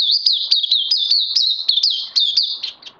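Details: Oriental white-eye kept as a caged song bird, recorded 31 May 2020, delivering a fast stream of high, sweet twittering notes, each a quick upward flick then downslur, repeated steadily before trailing off.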